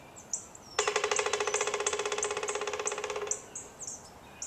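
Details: Pileated Woodpecker drumming, possibly for mating, announcing its presence to other woodpeckers, or getting bugs out of wood: a rapid, even roll of about forty strikes over two and a half seconds, fading at the end, while high chirps of small birds continue.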